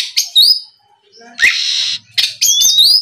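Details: Oriental magpie-robin song used as a lure to prompt other magpie-robins to answer: separated bursts of sweet rising whistles and high chirps, with a brief buzzy noise in the middle.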